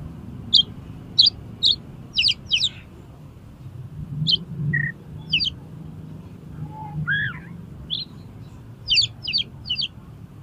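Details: Oriental magpie-robin spreading its tail and challenging another to fight, bursting out its learned song: clusters of sharp high buzzy notes, short whistled slurs and doubled chirps, spaced by brief pauses over a faint low hum.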